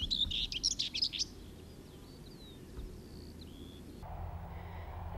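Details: Common whitethroat (Curruca communis), a scrub warbler of hedgerow and farmland, gives one brief, scratchy, jerky burst of song just over a second long, then a faint thin whistle from another bird and low wind rumble.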